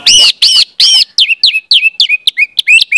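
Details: Orange-headed thrush song used to coax juvenile birds into singing: three loud, harsh, full notes, then a rapid string of sharp, downward-sliding whistles repeated about every quarter second.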